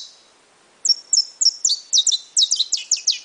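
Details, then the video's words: Brown-plumaged saffron finch bursting into song after a quiet moment: rapid high chirps, slurred downward, speeding into a dense, jumbled chattering run. "CANÁRIO DA TERRA PARDO"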